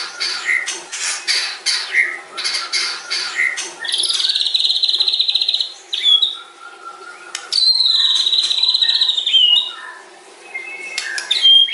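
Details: White-rumped shama singing long fill phrases meant to provoke other birds quickly: rapid chattering notes at first, then long sustained whistles with trilled edges and abrupt pitch drops, separated by short quieter gaps.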